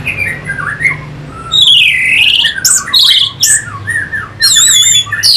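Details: Orange-headed thrush lure song, Singaraja, Bali, meant to excite other songbirds: harsh, loud squawking phrases mixed with sweeping slurred whistles and high rapid trills, varied and energetic, low hum underneath.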